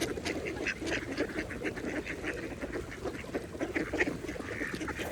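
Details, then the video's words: Mallard ducks feeding at a pond give short, rough quacks and dabbling splashes, scattered through the clip above a steady hiss of water and pond ambience. "Ducks Feeding at the Pond | Mallards"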